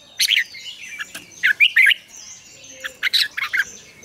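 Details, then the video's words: Red-whiskered bulbul morning song, a lure recording for training caged birds in the mature wild double-note style. Short bursts of three loud chirpy notes, then a pause, then another burst. Faint whistles from other birds sound in the background. "luyện chào mào hót sáng, Ép chào mào hót âm kép già rừng hay tuyệt!"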